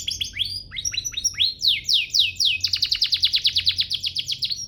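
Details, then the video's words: Canary master training song for young canaries: rapid downslurred whistles repeated in quick series, then a long fast rolling trill of sharp notes. "Masteran Mewah Spesial agar burung kenari cepat GACOR"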